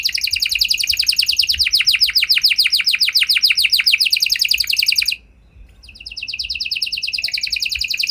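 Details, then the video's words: Canary lure song: a dense, rapid trill of high descending notes pours out for about five seconds, breaks off briefly, then resumes at the same fast pace. "Kenari Gacor Lagu Istimewa! Langsung Nyaut Kenari Mana Saja Dengan Suara Burung Kenari Ini"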